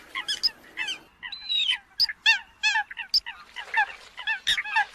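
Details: Eurasian coot in the new migration season: separate nasal honking notes spaced roughly every half second, one longer whining call early on, several birds answering.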